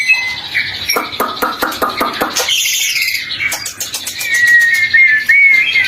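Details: Lure recording of white-rumped shama song for morning and afternoon use. A fast run of dry, rattling clicks comes first, then a burst of bright, high chattering, then a long, clear, wavering whistle.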